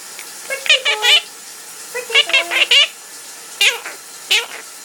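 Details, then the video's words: Pet parrot singing indoors while its owner showers, giving clusters of quick warbled squeaky notes in short bursts with brief pauses, some steady whistled tones, over a constant hiss of running water. "Kiwi The Singing Parrot"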